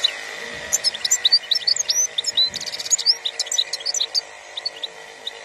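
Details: In this 2021 recording a European goldfinch delivers a lively stream of sharp, high chirps and twittering trills, with a brief buzzy passage, over a steady low hum.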